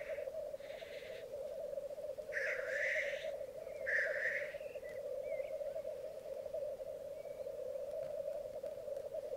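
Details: Bog lek of black grouse in Mykland, May 2022 morning, twelve cocks and two hens present. A few hissing bursts in the first half give way to the steady low bubbling chorus alone.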